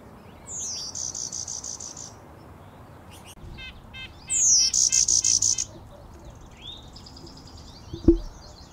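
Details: Warbler with an unusual call, possibly a backcross carrying some golden-winged warbler ancestry: very high, buzzy trilled phrases that start with a sliding note and then pulse rapidly, heard twice, with a short clack near the end.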